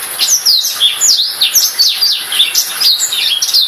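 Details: Lively song from a Black-throated canary, high sweeping whistles and fast chattering twitters strung together without pause, bright and rapidly varied, over a soft steady hiss.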